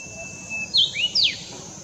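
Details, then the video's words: A Brownish-flanked bush warbler sings in the Himalayas in summer: a long, thin, level whistle, then a quick burst of sharp notes that swoop down and up, with a faint background hiss. "Brownish flanked Bush Warbler singing"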